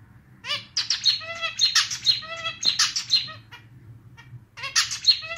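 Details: Zebra finch male's unique clarinet-like song, a bit out of tune: rapid nasal notes with stacked harmonics and buzzy bursts running almost continuously, a brief lull, then the phrase restarts.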